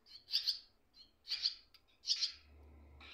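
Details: Swallow chicks in a nest, with one parent briefly approaching and the other on the wires, beg in three harsh, high chattering bursts, about one a second, with softer twitters between and a faint low hum at the end.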